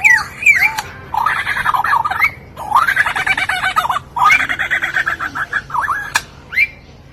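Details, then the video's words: Lyrebird mimicry: loud bursts of varied squawks, chatter and warbling phrases, each lasting about a second, broken by brief pauses. "the lyrebird can mimic your voice my voice too"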